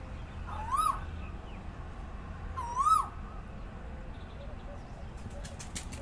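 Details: Asian koel calling in rain on a morning: two rising-and-falling ringing notes about two seconds apart, then light clicking and patter over a low background rumble.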